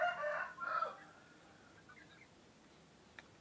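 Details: Male rooster of a laying chicken breed, crowing, which marks the change from night to morning; a loud, harmonic, wavering cry fills the first second, then fades into quiet background hiss with one sharp click.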